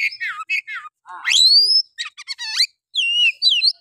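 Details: Oriental magpie-robin singing a harsh, rapid-fire song used as a lure to stir other males: varied whistled phrases, a long rising sweep, fast buzzy trills and falling slurred notes in quick bursts.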